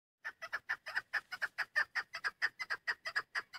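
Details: Female chukar partridge, a hunting bird, giving a rapid run of about seventeen harsh clucking chuk notes, roughly five per second, steady in pitch and loudness throughout.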